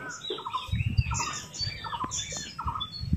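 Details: Ringneck parrot eating an apple: quiet chirps and short squeaky notes come in quick bursts, mixed with low crunching and munching sounds.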